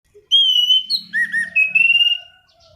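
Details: Black-throated laughingthrush in rolling, lively song used as a lure and tutor for training birds: a long whistled note, then lower slurred phrases and a run of quick rising-falling notes, with a soft low hum beneath.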